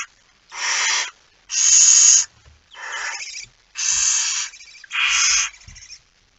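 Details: Five coarse, breathy screeches of roughly equal length from a barn owl with a mouse at night, 17 September 2019, 01:49, with quiet gaps and faint low thumps.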